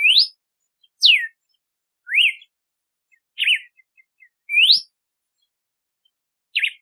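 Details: Red-cowled cardinal, called galo-de-campina, singing six ringing whistled phrases about one per second, mixing upward slurs, downward sweeps and quavering notes in a quiet setting.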